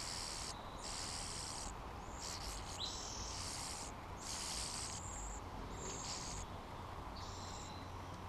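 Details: Junco chicks, 11 days old, in a nest in a hanging basket under a house eave in Mountlake Terrace, WA, give thin, very high begging notes in repeated bursts as a parent feeds them, over a steady hiss.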